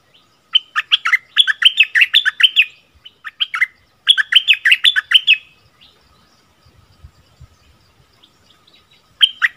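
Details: Double-style song of a bulbul recorded in February 2021. Two full phrases of quick, warbling whistles rise and fall. A quiet gap with faint low thuds follows, then the song begins again.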